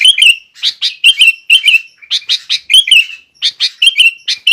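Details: Sooty-headed bulbul in energetic gacor song, a master lure to set other bulbuls singing, with quick repeated chirps mixed with bubbling whistled phrases throughout, very clean and close.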